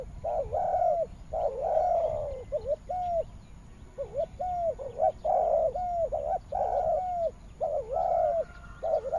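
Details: Spotted doves calling in western Vietnam with long hoarse coos and short upturned notes in irregular bursts, some overlapping, with a quieter gap midway.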